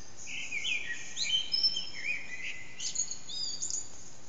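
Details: Eurasian blackbird singing in the early morning near 4:30am, heard but not seen from an echoing backyard, HTC Desire recording: loud clear fluty phrases stepping downward, then a burst of high thin twittering notes, faint hiss behind.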